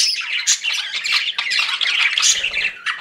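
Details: Dense squawking chatter of pet budgies, rasping chirps overlapping throughout, with a faint low hum late on.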